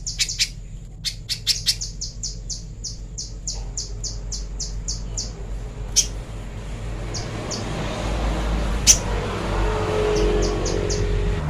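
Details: Little spiderhunter training master song: an opening flurry of sharp chips, then a steady series of softer, high ticking notes, followed by rising low rumbling noise with a few isolated chips.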